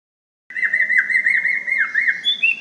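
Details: Borneo white-rumped shama giving a loud song used as a lure for other birds: a rapid warbling run of whistled notes near one pitch with quick dips and trills, ending on a higher whistle.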